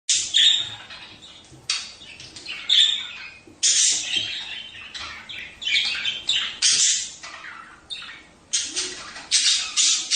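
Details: Budgerigars chattering to stimulate breeding: bursts of harsh, scratchy squawks and chirps come every second or so, bright and high, with short quieter gaps between loud outbursts.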